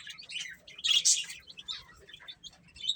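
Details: Baby chicks chirping while eating: a cluster of high, thin peeping notes from several birds, with one loud burst in the middle.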